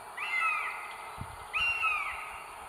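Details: Northern goshawk at its nest with three eggs on a live camera in north Estonia, 30 April 2022: two drawn-out, downward-sliding wailing calls, each about half a second long and spaced over a second apart, over a steady background hiss.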